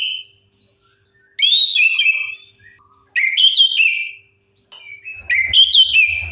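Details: Orange-headed thrush song serving as a lure for birds that won't sing; clear slurred whistled phrases repeated about every two seconds, with a low rumble near the end.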